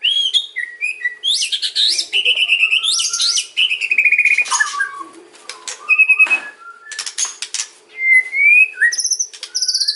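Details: White-rumped shama singing a kretekan and ocean style lure song meant to make other shamas respond: bright wavering whistles, rattling clicks and high upslurred notes in quick, varied succession.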